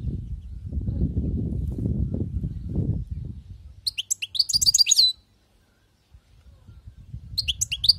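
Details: After a few seconds of low rumbling noise, a wild-caught European goldfinch bursts into quick, sparkling high twittering, pauses, then starts another twittering phrase.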